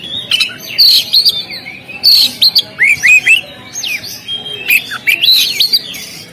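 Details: Oriental magpie-robin on a contest stand pours out a varied song of loud, clipped whistles and downslurred notes in quick groups, separated by short pauses.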